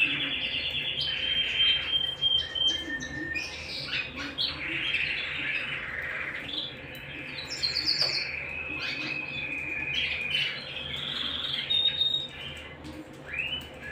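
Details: Pet canary singing indoors at home, a long varied song mixing sustained whistled tones, rapid rattling trills and sharp upswept chirps, rising and falling in loudness, against a faint steady low hum.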